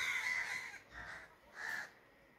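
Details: Crow calling with three hoarse caws, the first long and loud, the next two shorter, over a soft hiss of background noise.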